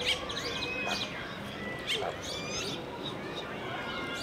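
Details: A 65-day-old male Dalmatian pelican chick grunting and groaning while eating, giving thin, wavering whines and short harsh bursts about once a second over steady background noise.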